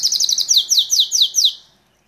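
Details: Belgian canary from Santa Catarina, Brazil, in a 'salsa' song: a rapid run of bright, high descending notes, about eight sharp strokes in a steady rhythm, then the song stops and silence follows.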